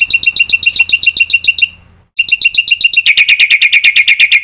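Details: Black-winged myna song full of varied phrases, made for training other mynas: quick runs of piercing repeated chips. After a short gap it speeds into a dense, steady rattle of high notes.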